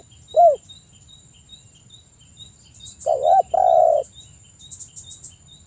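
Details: Spotted dove as a lure to stimulate calling: a single short coo, then after a pause a wavering coo and a long steady croo, with faint high chirps and insect ticking behind.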